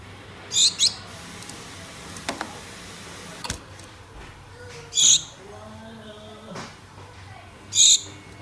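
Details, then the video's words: Two pet Gouldian finches calling a mate: a quick high double call, then two more single piercing notes a few seconds apart, with faint clicks and soft household sounds in between. "GOULDIAN FINCH BIRDS CALLING MATE"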